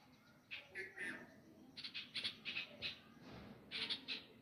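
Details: Nightingale parents crying for chicks lost to a cat at a nest in a tree among home pomegranate plants in flower. Harsh chirps come in short bursts separated by brief quiet gaps.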